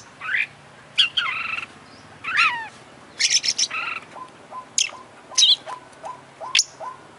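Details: Singing oriental magpie-robin, beak and tail open, delivering a varied 'full isian' medley of rich warbled phrases and sharp high notes, followed by a series of soft, evenly repeated low chirps.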